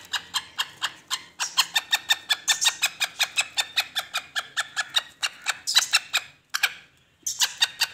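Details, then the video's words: Black francolin (kala teetar) calling in a lively mood: a long stream of dry, rattling clicks, about four a second. It breaks briefly near the end, then resumes with a few louder, squealing notes. "Black Francolin Voice Kaly Teetar Ki Masti || Kala Teetar Ki Masti Wali Awaz || Black Teetar Voice"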